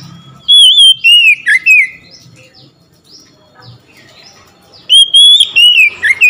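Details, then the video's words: Oriental magpie-robin answering another magpie-robin's song with loud, rich whistles that slide downward, then a lull with soft distant chirps before a second bright whistled phrase. "SEKETIKA MENDENGAR KACER LAIN LANGSUNG IKUT GACOR"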